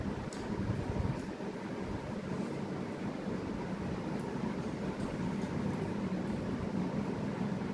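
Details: Steady indoor hum like a running fan or air conditioner, with broad low rumble and a few faint clicks, and no animal voice heard.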